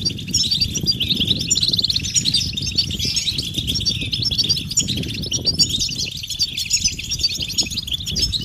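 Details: European goldfinches twittering en masse, calls said to push males to sing: thick layer of high chirps and rapid trills, including a brief buzzy trill early on, with steady low rumble.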